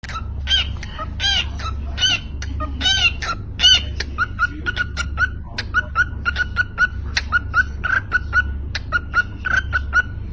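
Cockatiels give harsh, ringing chirps, first in bursts, then as a fast run of short repeated notes.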